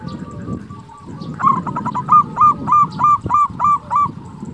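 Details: Local Indonesian zebra dove, a strong-voiced, melodious singer used as a lure to prompt quiet doves to sing: eight loud, clear cooing notes in a rhythmic run, each note slightly rising, following a softer stretch of steady background cooing.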